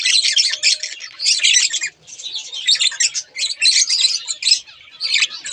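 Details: Two budgies in a pair giving fast, gritty warbled chatter in bursts, mixed with sharp chirps, and a brief gap just before the second second.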